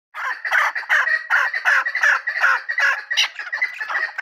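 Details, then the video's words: Chukar partridge calling: a rapid chuckling series of harsh, clucking notes around the middle pitch range, about two to three per second, fairly irregular, continuous through the whole clip. "keklik sesi chakor birds"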